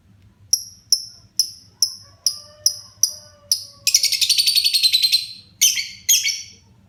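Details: Lovebird kept as a pet, starting to sing in full voice: evenly spaced sharp high ticking chirps, then a dense rattling chatter and a few final harsh squeaks, over a low hum.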